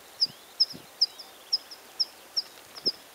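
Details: Spring song of a water pipit in breeding plumage, a steady series of sharp, high single notes spaced roughly every 0.4 seconds, with faint low thumps in the background.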